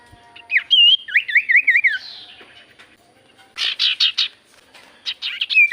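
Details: Lure song of a Javan white-eye, meant to set other birds singing: warbled whistles with a rapid wavering trill, a pause, then loud buzzy chattering bursts and a closing high whistle.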